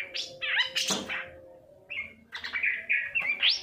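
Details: Varied long-tailed shrike song for stimulating reluctant singers: squeaky slurred notes and harsh bursts, a pause, then twittering rising and falling phrases.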